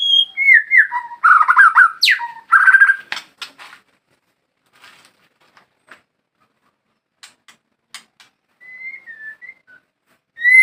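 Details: Murai batu, the white-rumped shama, in Indonesia: a lively run of varied warbled and whistled phrases for about three seconds, then sparse clicks and quiet gaps, a brief soft whistle, and a final rising note.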